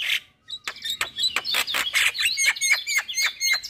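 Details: Javan myna singing, used to prompt caged mynas that have gone quiet to sing: a brief pause, then a rapid series of loud chirps mixed with short, bright whistled notes.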